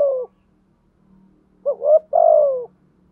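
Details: Spotted dove cooing, male and female calls for bird training and luring: a falling coo, a pause over a faint low hum, then two short notes and a long mellow descending coo.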